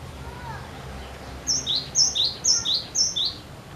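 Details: A persistently singing cinereous tit, recorded to prompt other birds into song. A soft faint call comes first, then a run of four crisp high two-note whistles, each falling from a sharp top note to a lower one, evenly spaced about half a second apart.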